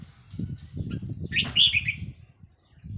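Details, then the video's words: Decoy red-whiskered bulbul, 4 May 2023, giving one brief bright warbled phrase over low rumbling and rustling noise. "เสียงนกต่อ นกกรงหัวจุกแก้มแดง"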